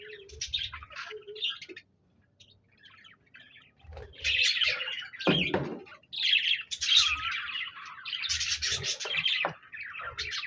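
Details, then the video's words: Parakeets, namely budgies, singing on 26 January 2024, with bursts of rapid, scratchy, high chirruping warble, a sharp click near the middle and brief silences between phrases. "Budgies Birds Singing Chirping Sounds Parakeets sounds"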